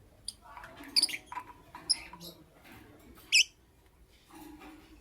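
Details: Lovebird in the morning giving short, sharp high chirps in scattered bursts, three strongest near one, two and three and a half seconds apart, with softer twittering and faint low murmurs between.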